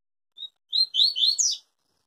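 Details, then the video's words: Pure Tui Tui song from a yellow-bellied seedeater that keeps its song unbroken: one short high note, then four or five quick buzzy slurred phrases in a tight run. "Papa Capim Tui Tui zero zero puro"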